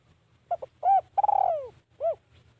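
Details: Spotted dove decoy calling to lure wild birds: a few short hooped coos, a longer descending drawn coo, then a single rounded note, over a faint low hum.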